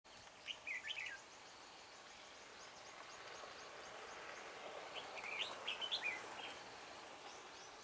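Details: Red-whiskered bulbul at a trapping session near Hương Pagoda on 24 March, singing to lure wild birds; two short bursts of bright, warbled chirping phrases, one early and one late, over steady outdoor background hiss with faint distant bird chatter.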